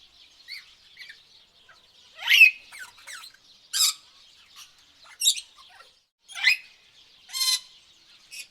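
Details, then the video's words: Tropical birds calling: a scatter of sharp chirps and short harsh squawks about every second, with a few brighter rising notes, over a faint steady high hiss in the background. "tropical bird sounds"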